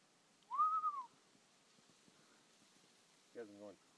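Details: Common loon, one of a couple calling in the early morning on Hozomeen Lake, North Cascades National Park: a single pure whistled note arching up and down for half a second, later a brief low voice-like sound.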